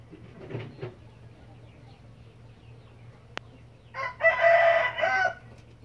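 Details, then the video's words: White red junglefowl crowing: a quiet stretch with faint chirps and a single sharp click, then a loud, harsh, harmonic crow of about one and a half seconds, broken into rough pulses near the end. "White red jungle fowl crowing"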